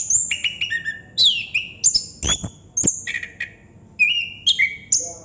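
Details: Chestnut-capped thrush with nonstop ngerol singing, mixing downward-sliding whistles, steady mid-pitched notes and sharp high strokes in quick succession.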